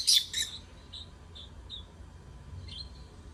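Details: Lovebirds singing: a couple of shrill, harsh chirps open the clip, followed by soft short high twitters spaced about half a second apart and a faint squeaky note near the end over low hum.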